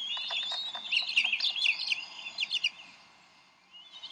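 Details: Bald eagle parents at the Decorah nest on 30 May 2012 squabble over a fish. A fast jumble of high chips and twittering notes fades out, then a faint whistle returns at the end.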